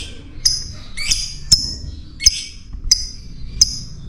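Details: Fighter lovebird calling as a lure to raise other birds' excitement: a series of six sharp, shrill chirps, roughly one every half to three-quarters of a second, with a soft low rumble beneath.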